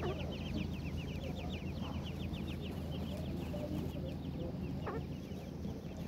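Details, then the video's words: Several young francolin (teetar) chicks peeping together: rapid, high, short descending chirps packed closely in a continuous chorus, with a constant low hum underneath. "teetar chicks ki awaz"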